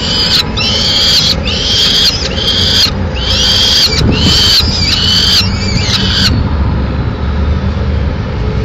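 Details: Peregrine falcons at a nest in Madrid, Spain, as the male brings a swift to feed the chicks: six drawn-out harmonic wails about a second apart, then quiet background hiss.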